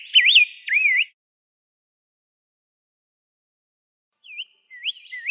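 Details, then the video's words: Rose-breasted grosbeak singing two short phrases of rich, warbled whistles that swoop up and down, a long silence, then a few more looping whistled notes at the close. "kicauan indah rose-breasted grosbeak"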